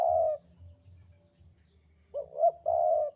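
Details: Javanese spotted dove cooing in the 'sandungan kuk 2' style: a call begins, fades out, then after a pause comes a full phrase. The phrase is two quick wavering mid-pitched notes followed by one long, steady, throaty coo. There is a faint low hum underneath.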